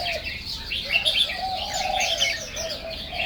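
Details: Hwamei song, a dense tumble of rich whistles and quick slurred phrases, with a steady lower whistled line beneath.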